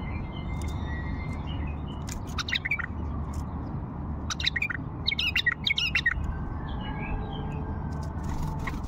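A bulbul gives short bursts of chirpy, bubbling notes in scattered phrases over a steady low hum.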